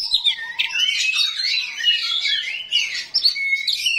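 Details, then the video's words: 'Kacer rawit' oriental magpie-robin unloading coarse 'isian kasar' fill-in to trigger replies from other magpie-robins; dense chattering warble of slurred high notes and short clear whistles, a brief dip around the three-second mark. "KACER RAWIT BONGKAR ISIAN KASAR, BIKIN KACER LAIN PASTI NYAUT"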